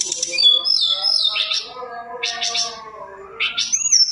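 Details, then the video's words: Mountain tailorbird singing a rich, varied lure song to set other birds off: high whistled notes over low layered tones, with several short buzzy bursts and a rising whistle closing the phrase. "Pancingan paling TOP tledekan gunung gacor dor isian mewah,bikin tledekan macet auto bunyi"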